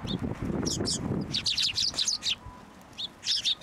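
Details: A flock of sparrows comes to be hand-fed at a Tenmangu shrine on 21 December 2023. Dense runs of bright twittering chirps follow a rustling, low flutter at the start. Quieter gaps separate the later chirp bursts.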